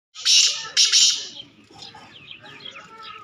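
Black francolin giving two loud, harsh, grating bursts about half a second apart, followed by softer high chirps from other small birds.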